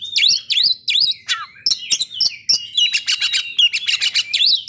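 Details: Oriental magpie-robin song used as a lure to bring other magpie-robins into breeding condition and aggression: rapid bright whistles with sharp rising and falling sweeps and buzzy chips, delivered in quick bursts.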